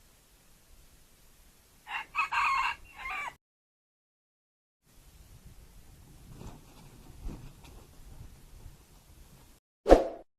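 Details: Red junglefowl used as a decoy to attract wild birds crows once, a rough, broken phrase of several stuttering segments lasting over a second. Quiet rustling and low noise follow, ending with a sharp loud knock.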